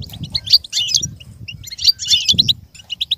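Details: A goldfinch sings for a goldfinch to learn and imitate. Quick tinkling notes build into two dense, jangling bursts, with a soft low rumble underneath.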